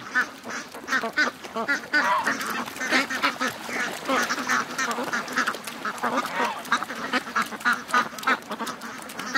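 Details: Over 700 ducks and geese on their morning rush to the lake, a dense, continuous chorus of overlapping quacks and honks with no pause.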